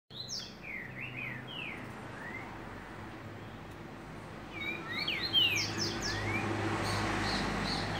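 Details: Green-winged saltator singing: a series of clear, slurred whistled notes, each sliding downward, in two bursts separated by a pause, over a low steady hum.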